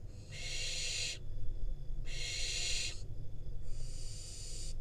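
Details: Wild barn owl fledgling in Israel, filmed on a nest camera as parents deliver a rodent. Three long, harsh, breathy screeches, each lasting about a second, separated by short pauses, over a steady low hum.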